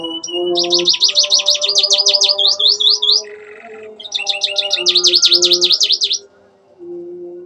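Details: Canary singing a lively song filled with imitations of Ciblek and Ciwah click-click calls: fast buzzy zigzag trills and repeated high sweeping notes in two bursts, with a short lower rasp between and faint steady low tones underneath.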